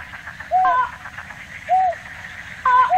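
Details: Slaty-legged crake in Tainan City, Taiwan, recorded 9 December 2019: short, hollow, down-slurred hooting notes, three within three seconds, some with a brief nasal overtone, over a soft steady background hiss.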